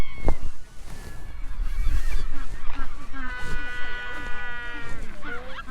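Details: A Magellanic penguin at the Magdalena Island penguin reserve near Punta Arenas, Chile, in January 2023, where nesting pairs raise chicks, gives a loud, harsh, donkey-like trumpeting bray of stacked nasal notes over about two seconds, with people talking and faint music around it.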